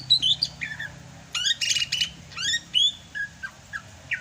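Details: Rainy-season song of a greater green leafbird from Sumatra: rich, loud whistled phrases with fast downward sweeps and buzzy chatter, ending in short separate falling whistles.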